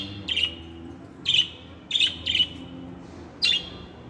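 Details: Singing budgie producing short, bright chirps with buzzy overtones, spaced about a second apart with a quick double note near the middle, over a quiet low hum.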